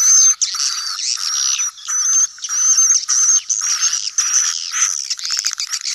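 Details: Swiftlet colony sound called "koloni sedot anakan", meant for new swiftlet houses: dense, overlapping, raspy twittering in chopped blocks with a thin high whistle running through, and sharp clicks near the end.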